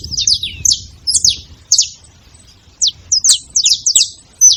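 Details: Saffron finch giving scattered piercing chips falling in pitch, some doubled, separated by short silent gaps, with a faint click near the middle.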